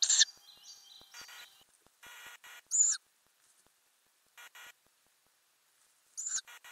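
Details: Ural owl family in a nest box where owlets grow and later leave, recorded in May 2020 from inside the box; brief wavering whistle-like notes open, then scattered hoarse, high-pitched hissing bursts with quiet pauses between.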